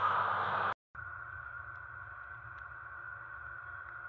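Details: Broad hiss that cuts out briefly, then a steady electronic hum and tone; no animal voice.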